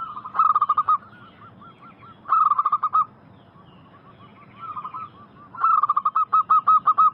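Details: On a lure recording used to make wild zebra doves answer, local zebra dove song comes as loud rolling bursts of about ten quick coos. Softer trailing notes fill the pauses between the bursts.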